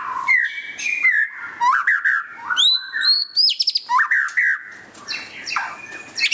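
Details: Varied song of a displaying white-rumped shama: fluty whistles that rise and fall, upward-sweeping high notes and clicking chips, delivered in lively, broken phrases.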